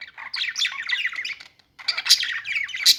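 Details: Budgerigars warbling in quick chirpy phrases of squeaks and trills, stopping briefly mid-way, then starting again with bright, sharp notes.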